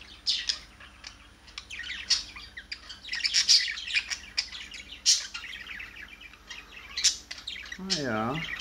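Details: A flock of budgerigars, including young birds, bonding and chattering in quick, high, scratchy chirps and warbles, with a person's voice briefly at the end.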